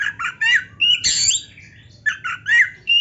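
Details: Oriental magpie-robin in rousing gacor song: short harsh chattering notes in quick bursts, a brief broad rasping sound, then more scratchy twitters and a thin whistle.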